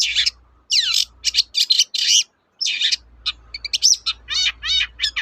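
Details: Long-tailed shrike in vigorous song for use as a lure to get reluctant birds singing: loud harsh chatter and down-slurred whistles, then quick trilled notes and wavering buzzy phrases, with a faint low hum beneath.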